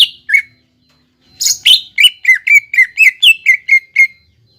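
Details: Greater green leafbird song used to stimulate a bird to sing: two chirps, a pause, then a steady run of about a dozen quick, downslurred whistles.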